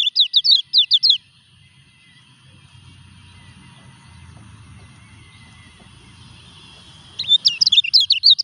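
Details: Kecial kuning, the Lemon-bellied white-eye, singing during its moult: a short burst of quick, high slurred notes, several seconds of soft low background noise, then the twittering resumes.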